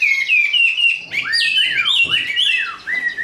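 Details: Chinese hwamei, caged and hand-raised, giving fighting song: clear repeated whistled notes, then rising and falling swooping slurs, loud and varied.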